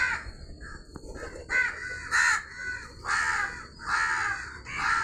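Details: Crow calling with a run of rough, drawn-out caws, several back to back and swelling in loudness, over steady low background noise.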